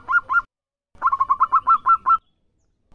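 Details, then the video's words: Frequently singing local zebra dove: two short coos, a brief pause, then a quick string of about eight staccato, slightly rising cooing notes before it stops. "Masteran tepat Perkutut Lokal Gacor CEPAT"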